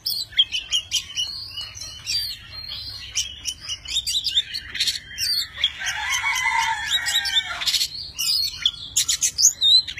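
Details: Tame Oriental magpie-robin performing a many-voiced song as it spreads wings and tail: long rich sequence of sharp clicks, high whistles and warbled phrases, with a louder tumbling burst midway and crisp repeated notes at the end.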